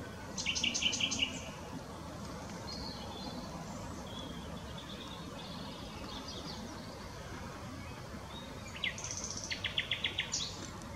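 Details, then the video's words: Mixed-singing willow warbler at Whitlingham on 2 May 2017, a bird also giving muted willow warbler calls. Two brief bursts of rapid, high, repeated notes, one at the start and another near nine seconds, separated by quiet background hiss. "Mixed singing Willow Warbler"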